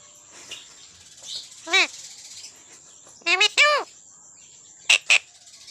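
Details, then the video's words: Pet parrot talking in Odia, repeating "Mithu Mithu", with harsh, ringing, strongly harmonic bursts: a single call, then a rapid cluster of three, then a quick double, separated by quiet pauses. "parrot talking everything Mithu Mithu"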